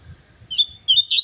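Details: Seedeater warming up with a few thin, rising and level whistled notes over a soft low rumble in the background.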